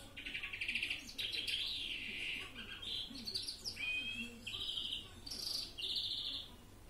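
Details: Greenfinch (Carduelis chloris) in Florya mixed song, delivering fast rattling trills, rolling twitters, a short rising whistle and bright buzzy phrases in quick succession, with a soft low hum underneath.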